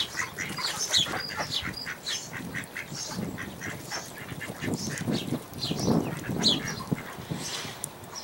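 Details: Hybrid of American black duck and mallard at Port Colborne, August 11, 2022, giving harsh nasal quacks that peak midway, mixed with a steady run of sharp high chirps from small birds.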